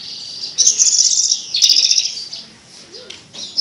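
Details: Melodious Javan bush lark song: rapid, high, chattering trills in two close bursts, followed by softer scattered twitters and faint lower chirps.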